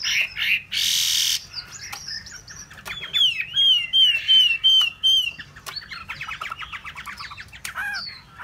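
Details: Hwamei song opening with a brief harsh noisy burst, then a series of ringing whistled notes repeated about twice a second, followed by a fast buzzy trill and a final looping whistle.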